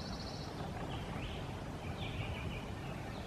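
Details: Male Acadian flycatcher, Liberty County, Texas, May 2017, chattering as he flies: a brief buzzy trill, then faint rising and falling notes, behind heavy constant low background rumble.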